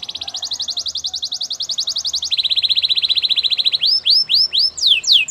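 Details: Canary training song: a long, very rapid trill that steps down to a lower rapid trill, then gives way to slower, loud swooping whistles.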